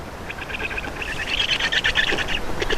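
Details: Black stork nestlings in Estonia calling during a nest change and feeding on 31 May 2019 at 11:48; rapid, rasping chatter repeated in quick bursts, building louder toward the middle and continuing with short pauses.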